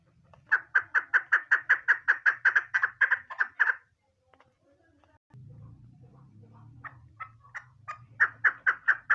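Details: Female chukar partridge giving rapid, evenly spaced clucking chuk notes for about four seconds, then a pause with a low hum, scattered softer notes, and the rapid clucking series starting up again.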